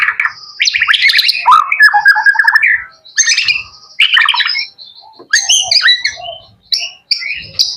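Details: Young male white-rumped shama kept as a pet, singing rich, loud phrases of harsh chattering, rolling warbles, and clear high whistles separated by short pauses.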